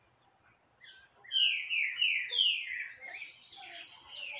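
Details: Saffron finch (canário caboclo) singing heavily with free birds nearby: thin high whistles lead into loud slurred falling notes and a dense jumble of chattering, overlapping phrases.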